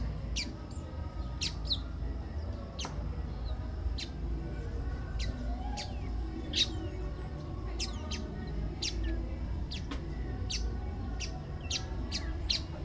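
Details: Pale baywing (Agelaioides fringillarius), a bird of the caatinga of northeastern Brazil, gives sharp, high chipping notes, several per second in irregular bursts, over a steady low rumble of wind or distant noise.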